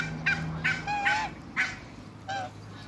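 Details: A pair of Muscovy ducks in a backyard farm with other waterbirds gives short nasal honking calls, several in quick succession, one drawn out into a wavering note, over a low steady hum.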